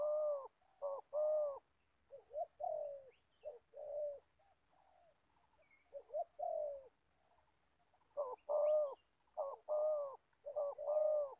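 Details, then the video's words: Old decoy spotted dove used for trapping wild doves in Gia Lai, Vietnam, giving hollow low coos in bursts, strong paired phrases at start and end with softer broken coos between, a faint chirp above. "Bẩy cu gáy. Clip 65.. mồi già bắt bổi thổ tốt tiếng"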